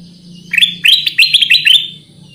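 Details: Kutilang emas, the black-crested bulbul, in a brief lively phrase for luring birds: a rising note, then a bubbling cluster of quick, bright, up-and-down notes, over a steady low hum.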